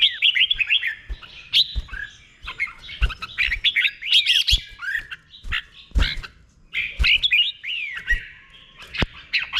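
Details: Red-whiskered bulbul, Thailand, delivering doubled 'beun' song for caged birds to learn: dense, jumbled warbling whistles nearly continuous for ten seconds, punctuated by sharp knocking clicks.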